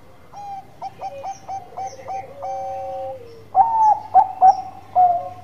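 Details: Zebra dove of the Bangkok type in lively song: a run of soft cooing notes with a long drawn purr, then louder clipped coos at the end.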